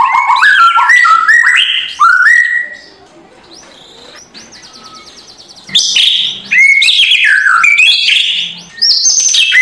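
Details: White-rumped shama with loud, rough kretekan song used in the morning to provoke a lazy bird; fast looping whistled phrases, a quiet gap of several seconds, then renewed rapid rattling and whistles.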